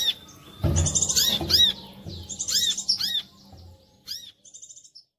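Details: Brown-throated sunbird lure song to coax other sunbirds into singing: dense high chirps and trills, then spaced sharp notes fading to a final short high trill, over faint low background thuds.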